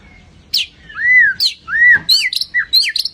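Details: Lively white-rumped shama, a song bird kept for training, singing its rough, hard-hitting song: slurred rising-falling whistles mixed with sharp high chips and quick harsh notes, over faint low background hum.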